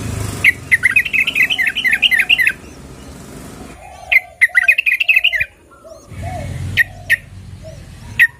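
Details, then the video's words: Female yellow-vented bulbul calling the male with long, rapid strings of bubbly up-and-down chirps, a pause, another rolling run, then scattered single sharp notes. "SUARA BURUNG TRUCUKAN BETINA MEMANGGIL JANTAN"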